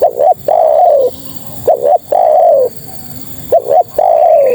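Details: Spotted dove, a female calling males, gives three phrases of a double clipped note then a long smooth coo that slides downward, with short pauses between phrases.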